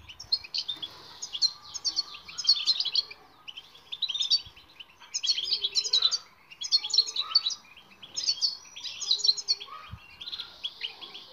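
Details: Goldfinch training song for non-singing birds, given as bursts of sparkling, high twitters separated by short pauses, with a single sharp click near ten seconds.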